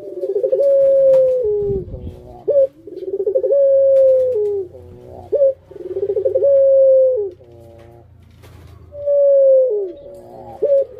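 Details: Puter dove kept as a pet, cooing in pelung style: drawn-out level notes falling into buzzy lower tones, separated by short upward hoots, about four phrases across the stretch, with a faint low rumble behind.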